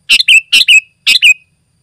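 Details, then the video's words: Sooty-headed bulbul singing lively for luring wild birds and tutoring: three loud, quick two-part phrases, each a rich chirp sliding into a falling whistle, in under two seconds. "Suara Burung Kutilang Gacor Rapat Menekan Lawan Paling Ampuh untuk Suara Panggilan dan Masteran"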